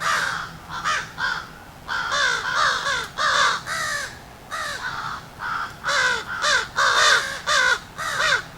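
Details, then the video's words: Alarm calls of crows directed at a fox on the ground, sounding angry rather than calm: harsh, arched caws delivered in bursts of two to four, close to two per second, with short pauses between bursts. "So that was crows doing an alarm call at a fox."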